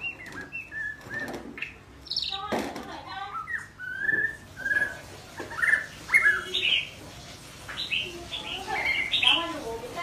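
A young white-rumped shama rambles through soft, halting practice song: scattered whistles, chirps and short buzzy notes, mostly high-pitched, with faint background chatter.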